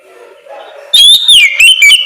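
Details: Oriental magpie-robin (kacer) singing its loud ngeplong song in the morning, used as a lure to make other magpie-robins answer; after a quiet start, loud, clear whistled notes rise and fall in a short burst.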